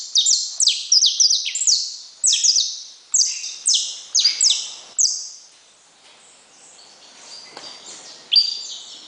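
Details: Saffron finch song: rapid bursts of bright downslurred chirps for several seconds, then a short quiet gap before a final loud high note.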